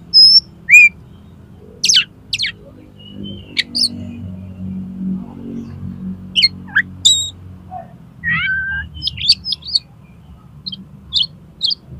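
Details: Oriental magpie-robin singing in the konslet style, played to provoke another magpie-robin into opening its tail: scattered sharp whistles, rising slurs and a buzzy note, separated by pauses, over a steady low hum.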